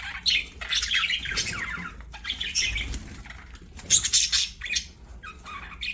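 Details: Playing budgerigars give a busy, scratchy warbling song: rapid high chirps and chattering phrases pour out almost continuously, with a few sharper squawky notes and a soft thump mid-way.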